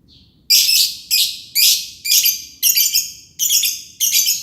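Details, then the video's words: Green lovebird's long ngekek song: a faint short note, then a series of loud, harsh, very high shrieking bursts, each about half a second long, repeated roughly every half second. "Burung lovebird ijo, ngekek panjang"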